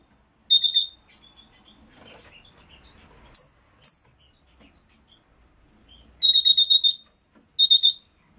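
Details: Red-rumped parrot singing to prompt a pair to breed: short trilled bursts of rapid high whistled notes, separated by a few isolated sharp chirps and quiet stretches.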